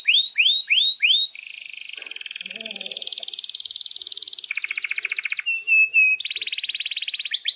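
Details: Canary singing long rolls as a training model for young birds: looping rising whistles, then an extended high rattling roll, short piping notes and a lower steady trill, with a faint murmur in the background.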